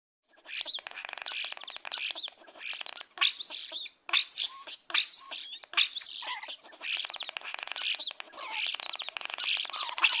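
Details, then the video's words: A group of chicks peeping without pause, high, thin, overlapping cheeps tumbling over one another more than once a second, with a few louder, sharper notes; described as happy chick sounds. "Chicks sound effect _ chicks happy sound _ chick sounds"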